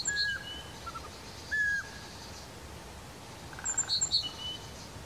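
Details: Eurasian pygmy owl singing: plain, steady whistled notes, two long ones about a second and a half apart with a shorter, lower note between, while other small birds chirp high and thin in the background.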